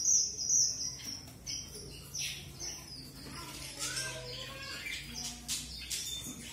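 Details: Red avadavat, also called strawberry finch, giving high thin twittering notes and short chirps in quick irregular runs, with faint rustling and fluttering underneath.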